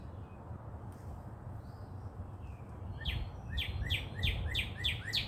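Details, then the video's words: Birds chirping at sunrise in Dallas, Texas: a run of sharp, falling chirps repeated about every third of a second, preceded by soft distant calls over a steady low rumble of background noise. "Sunrise & Chirping birds"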